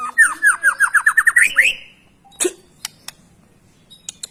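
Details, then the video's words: Tutor song of a white-rumped shama for young or reluctant birds: about a dozen quick rising whistled notes climbing in pitch, then a harsh downslurred note and scattered clicks. "suara murai batu gacor..pancingan untuk murai batu bakalan cepat gacor"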